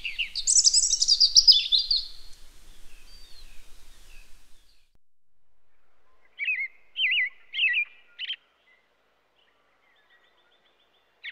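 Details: Robin singing: a dense burst of high, jumbled twittering notes that fades out, then after a gap three separate short warbled phrases, each a quick up-and-down slur.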